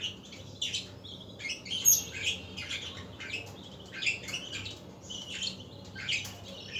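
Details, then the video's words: Afternoon budgerigar chatter: busy, uneven bursts of harsh chirps, squeaks and warbling notes, sometimes overlapping, with a soft low hum behind. "اصوات طيور الحب البادجي"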